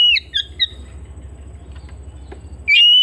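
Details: Home-kept Oriental magpie-robin giving brief clipped whistles and a falling note. A pause follows with only low hum, then a loud, sustained pure whistle starts near the end.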